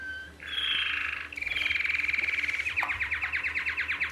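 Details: A male canary sings bright, high notes, then a fast rattling trill of rapidly repeated syllables, like a nightingale's; its "sexy syllables", made with both sides of the syrinx at once, appeal to females.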